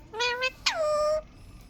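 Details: Green ringneck parakeet giving a two-pulse nasal note followed by a long screech that drops sharply at the start and then holds steady, rich in harmonics, with faint room hum.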